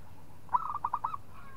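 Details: Local zebra dove provoking a rival with one crisp phrase of five rolling cooing notes, the first sharpest, the rest slightly lower and evenly spaced, over quiet background.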